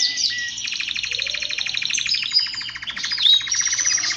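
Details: Male canary singing to stimulate song and excitement: rapid trilled rolls of repeated notes, fast buzzy series around mid-high pitch, then higher whistled flourishes and sweeping notes near the end.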